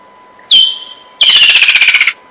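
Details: A Woodland Kingfisher, a sign that summer is coming, gives one sharp high note, then a loud, rapid descending trill of about a dozen notes that sounds like laughing.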